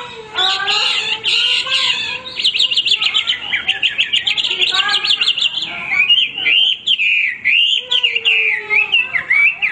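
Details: Hwamei singing without stopping, with dense buzzy trills and rapid whistled notes layered together, then clear looping phrases that rise and fall.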